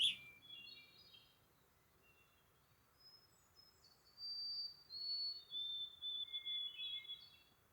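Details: White-throated sparrow (Zonotrichia albicollis) singing in spring on wildlife-friendly land: clear, high whistled notes, held long and stepping slightly down in pitch, over a soft background hiss.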